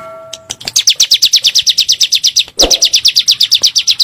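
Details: A steady electronic tone opens, then a bar-winged prinia gives a rapid 'nembak' series of bright high chirps. A short thump breaks the run before it resumes at the same pace. The recording is a lure to make caged birds sing.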